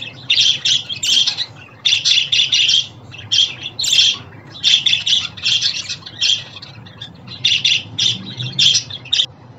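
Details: Pet budgies chatter in quick clusters of scratchy chirps and squawks, a few seconds at a time separated by short pauses; sounds intended to make a home budgerigar happy and sing.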